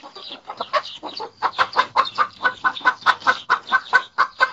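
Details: Contented hen clucking in a coop, a rhythmic series of short, low clucks repeated about every quarter second, steady and even throughout, with no other clear sounds.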